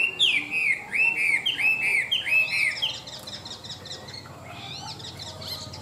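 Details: Chinese hwamei, a tame, big-bodied bird that sings well, delivering a run of loud arching whistles that rise and fall in quick succession, then breaking into softer, higher warbled and buzzy notes.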